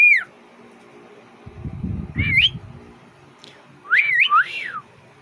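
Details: A 6-month-old pet cockatiel sings clear whistled notes that swoop up and down in short phrases, somewhat off-key.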